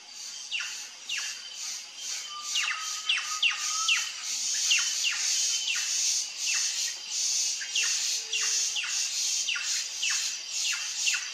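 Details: Plush-crested jay (Cyanocorax chrysops) singing on a trail gives quick, falling whistled notes, about two each second, over a steady high buzz of insects.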